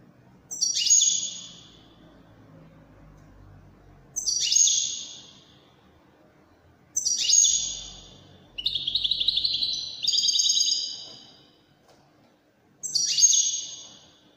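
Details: European goldfinch, Moroccan Widani song style: sharp, downward-sweeping ringing notes repeat every three to four seconds. In the middle comes a longer buzzy, twittering trill phrase, with quiet pauses between the notes.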